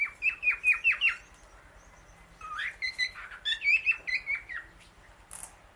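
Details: Female Indian ringneck parakeet outdoors eating grass among many birds; a fast run of about six sharp harsh notes, a brief lull, then an irregular chatter of squawky notes fading out.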